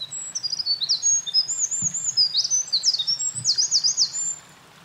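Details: Eurasian wren in full song at a mountain pass on 28 April 2024, while building a nest; rapid shrill trills and twitters run for over four seconds, with a couple of low thumps in the background.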